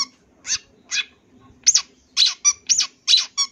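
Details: Champion long-tailed shrike, or cendet, singing a full 'isian' song suitable for tutoring: squeaky, scratchy notes that quicken into a run of short, harsh, nasal bursts.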